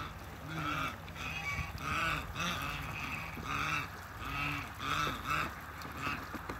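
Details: Mature couple of African geese on a farm, calling while meeting new birds: softer repeated double honks, nasal and rising-falling, spaced every second or so over a steady hiss of background noise.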